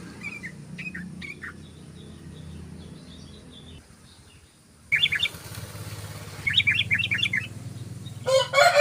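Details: Lure recording of yellow-vented bulbul ropel singing: a short opening burst of chirpy notes, a lull, then lively clusters of fast bubbling notes in bursts, ending in a loud rustling flurry.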